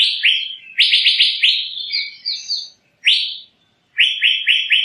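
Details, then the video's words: Loud, liquid rising whistles from an Asian fairy-bluebird, a burst of four to five quick notes, a single upswept whistle after a pause, then another rapid run of four. "Burung Cucak Biru"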